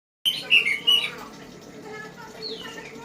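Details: Orange-headed thrush song: three loud, clear whistled phrases packed into the first second, each slightly falling, then softer, faint warbled notes over steady background hiss.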